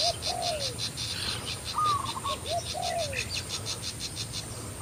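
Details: Decoy Spotted Dove cooing to draw in a wild dove during decoy trapping; two low arched coo phrases separated by a pause, with a brief high whistle from another bird and steady rhythmic insect pulsing throughout.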